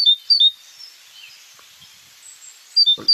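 Great tit song: bright, high two-note phrases, each a higher note dropping to a lower one like 'tea-cher', in a short burst, then a pause and more. A soft thump near the end.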